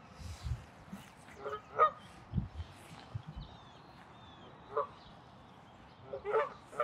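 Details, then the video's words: Canada goose honking in territorial defense at Wilde Lake, Columbia, Maryland, on 11 April 2024: a few faint, spaced honks at about 1.5, 5 and 6.3 seconds over low background rumble. "Canada Goose (Territorial Defense)"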